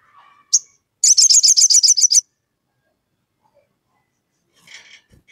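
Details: Crested jay calling to a rival, used as a lure to provoke other birds: a fast, harsh rattle of about ten high, metallic notes after a single sharp note, then a fainter second burst.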